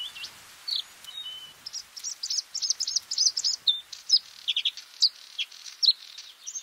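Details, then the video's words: A singing bluethroat gives varied high, sharp notes: brief whistles and clicks building into a lively, uneven stream of ringing chips and twangy syllables, all loud and close. "Bluethroat (Luscinia svecica) song"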